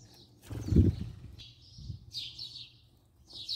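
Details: House sparrow filmed at close range, giving a few short, bright chirps in quick bursts, with a low thump and rustling near the start and a quiet hum underneath.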